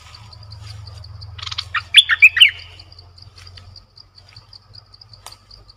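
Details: Caged decoy bulbul, recorded 18 December 2021, gives one quick burst of four or five bubbly, warbled notes in the middle, over steady fast high ticking and a low hum.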